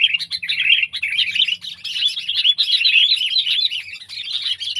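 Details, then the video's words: Sooty-headed bulbul, known in Indonesia as kutilang, kept pet or wild bird: continuous lively twittering of quick chirps and short slurred notes, steady and loud throughout with a soft low hum behind. "Burung Kutilang Peliharaan VS Burung Kutilang Liar!"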